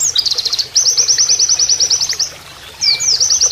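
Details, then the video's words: Rapid-fire canary-style song of an Oriental white-eye, used as a training master: a long, even string of high, rhythmic chip notes, a brief pause, then more fast whistled notes, with faint flowing water behind. "MASTERAN PLECI NEMBAK KENARIAN"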